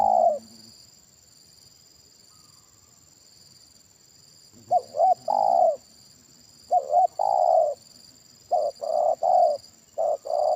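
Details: Deep-voiced 'kuk satu' spotted dove at a trapping session with a decoy: after a pause, paired short hoots run into drawn-out falling coos, repeated three times, with a faint lower murmur and a continuous thin whine above.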